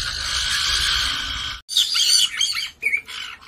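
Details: Caiques kept as a household of four, two black-headed and two yellow-headed, give harsh, high screeches: a sustained grating burst, then shorter shrill squawks and chirps. When one calls, the others join in.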